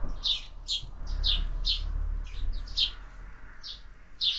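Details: Sparrows at a feeder in summer, giving short high chirps repeated about every half second, some overlapping, over a steady low hum.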